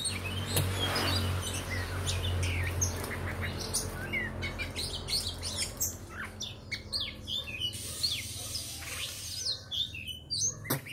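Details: Oriental magpie-robin pouring out dense, rapid phrases of sharp whistles, chirps and downslurred notes, bursts crowding together, with a constant low droning noise underneath.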